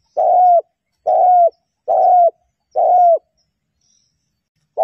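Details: Decoy recording of a female spotted dove calling to stimulate males: single steady hollow coos, each about half a second long, repeated evenly almost once per second.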